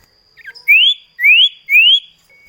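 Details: Common iora, a kept bird, sung as a duet lure to make other kept birds sing; three loud clear whistles, each sweeping upward, spaced about half a second apart, with a faint steady high tone behind.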